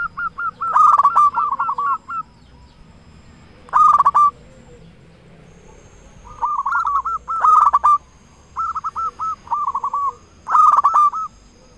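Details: Local zebra dove singing strongly, a lure to stir quiet or stressed doves into song. Loud bubbling, rolling coo phrases repeat in bursts, some run together in quick series, over a low background hiss.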